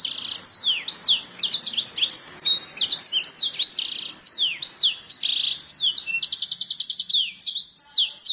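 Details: Canary training song meant to make birds sing: dense high warbling of swooping whistles and chirps with buzzy held notes, then a fast rolling trill of even repeated notes and closing slurs.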